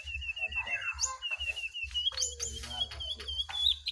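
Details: Jongkangan in a wild-versus-caged singing contest, giving a bright warbling song: a steady repeated high chirping line broken by quick rising and falling whistles, with a constant low hum behind.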